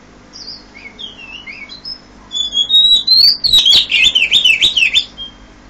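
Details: Oriental magpie-robin singing at 5 a.m.: soft, sliding whistled notes first, then a loud, fast, twisting phrase of sharp, warbled upsweeps and downsweeps, ending on a thin, held whistle.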